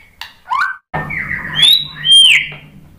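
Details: White-rumped shama singing to stimulate other shamas: short whistles, then a long, sweeping, slurred phrase that rises to bright, ringing high whistles. A faint low hum sits beneath.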